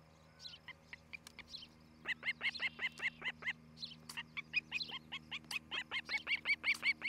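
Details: At a Charlo, Montana osprey nest, filmed by camera in July 2018, an osprey gives a long series of sharp, evenly spaced whistled chirps over a low steady hum.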